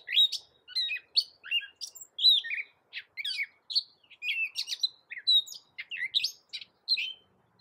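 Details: Gray catbird song, meant for teaching other cage songbirds; rapid mixed phrases of squeaks, chips and whistled slurs, varied from one to the next, coming steadily with brief pauses over several seconds in a quiet setting.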